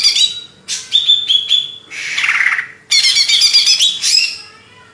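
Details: Greater green leafbird from Banyuwangi, Indonesia, kept as a songbird, delivering quick high chips, a steady whistle, a raspy hissing burst, then a long stream of rapid, varied twittering.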